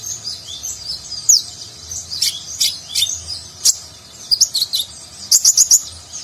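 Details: Konin (ninja sunbird), a nectar-feeding bird, singing in the Nagen style with rich filler phrases, used as tutor song for contest birds: very high twittering chirps and sharp rising and falling notes in scattered bursts, ending in a quick series of four similar notes.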